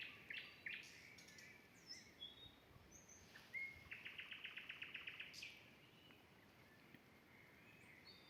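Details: Common nightingale singing by a vegetable garden at a forest edge in Ukraine while nest-building, with frogs also calling: sharp chirps and pure whistles, then a fast even run of about a dozen identical notes, then more whistles.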